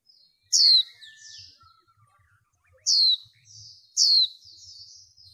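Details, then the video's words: Female white-eye stimulating males in bird training: three bright, high notes sweeping downward, the last two close together, with soft chatter and faint low knocks in the background. "Khuyên mái kích trống | khuyên mái kích trống nghe là trống mê"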